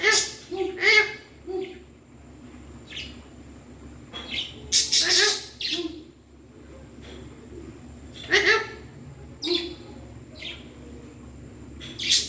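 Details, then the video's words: Pet parrot talking, producing clusters of short raspy, speech-like syllables and squawky bursts in irregular groups over a steady low hum. "Parrot Talking"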